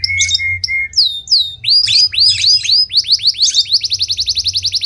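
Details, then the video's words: Canary song made of short level whistles, then sharply dropping and rising swept notes repeated in a row, finishing with a fast, even trill of high notes; quiet background hum. "اجمل صوت كناري"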